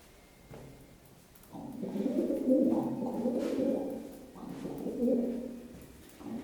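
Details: Indoor pet pigeon cooing as he goes down stairs, coo rate rising with jump speed; long, low, rolling throaty coos, one lasting nearly three seconds followed by another about a second long, with light taps between.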